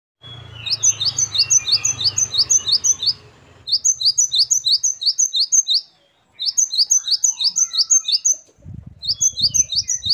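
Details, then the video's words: Great tit singing vigorously in a varied, rich style: rapid high two-part notes repeated in quick bursts of about seven, with short pauses between runs; low rumbling background noise at the start and near the end. "Great tit. Singing birds. Parus Major."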